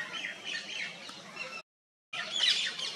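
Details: At Agra in June 2021, a nest-building paradise flycatcher gives harsh, grating, high calls in quick bursts, broken by a brief silent gap, over a faint background hiss.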